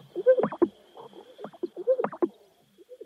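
Sage grouse giving low, hollow gulping notes with a soft whistle and sharp pops, in two matching bursts about a second and a half apart.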